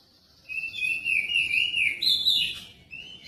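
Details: Magpie-robin song meant to prompt another bird to sing: a sustained, wavering whistled phrase at steady pitch, stepping higher near the end, over a faint background hiss.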